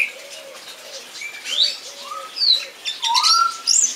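Song thrush singing a quick run of clear, varied whistled phrases, some rising, some sliding down, with thin high notes and faint low notes underneath.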